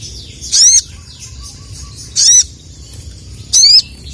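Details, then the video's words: Sooty-headed bulbul call aimed at rival males, three strong bright notes that sweep up and down, spaced roughly a second and a half apart over a quiet background. "SOGON GACOR CUIT CUIT MEMANGGIL LAWAN JANTAN..!"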